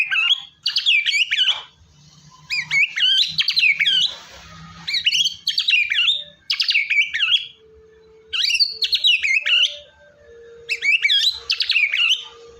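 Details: Loud, energetic white-rumped shama song for prompting a lazy singer: dense bursts of twisting whistled notes, each about a second long, repeated roughly every two seconds with quiet gaps and a faint low hum.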